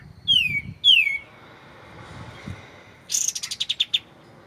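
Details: Clear-voiced white-shouldered triller on a shama training track: two bright downslurred whistles, a pause, then a fast buzzy trill of about ten pulses dropping slightly in pitch.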